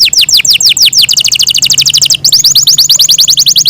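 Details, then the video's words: Pet Yorkshire canary singing high, fast descending slurred notes that run into a rapid even trill, then a brief break and another series of quick falling notes. "yorkshire canary long melodious sound"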